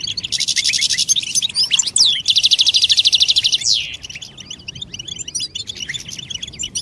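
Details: European goldfinch song used to stimulate silent males to sing, with mating and readiness calls: dense high twittering, two long buzzy rattling trills in the first half, then scattered quick chirps and tinkling notes.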